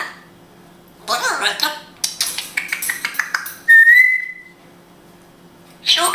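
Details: Grey parrot kept at home in Israel, talking in Hebrew: a burst of chattering, voice-like syllables, then a single pure, level whistle trailing off, and a brief noise at the end.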